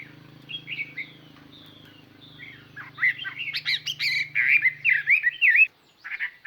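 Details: Chinese hwamei lure song meant to attract other birds: softer whistled slurs at first over a low steady hum, then a loud burst of varied rapid notes and rising-falling whistles before a sudden stop.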